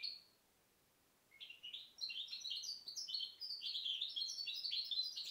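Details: Goldfinch hybrid (mixto de jilguero), a 2010 bird, singing: a brief high note, a pause, then a fast, continuous run of twittering, warbling notes with varied buzzy and clear phrases, indoors.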